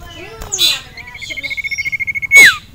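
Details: A male sirtu in a cage, aroused by a female and a rival, gives one quick stuttering trill on a level high pitch that ends in a loud dropping whistle, with a brief chirp before it.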